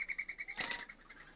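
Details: A wild dove's wings whirr in a fast pulsing whistle of about ten beats a second, swelling into a brief rushing burst before fading, during breeding-season courtship while doves seek to nest.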